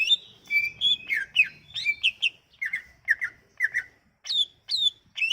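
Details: Sumatran leafbird song as a lure for leafbirds that will not sing: varied twittering whistles and paired downslurred notes, with some higher rising calls near the end.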